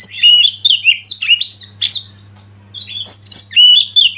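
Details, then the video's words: Oriental magpie-robin song from a song-tutoring track for caged birds, mixed with river flow and wild bird sound: varied whistled and slurred phrases, rising and falling, a brief pause midway, then sweeping notes, with low steady hum. "Masteran Kacer Eksklusif"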